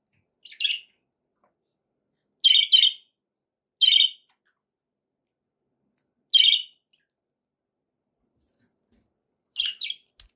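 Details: Budgerigar giving loud, sharp chirps spaced a second or more apart, some doubled, separated by silence.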